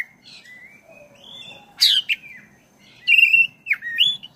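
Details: Oriental magpie-robin, black-breasted, a long rolling song played to stir a caged bird into singing: drawn-out whistles gliding up and down, a loud rasping burst, then bright fluted notes.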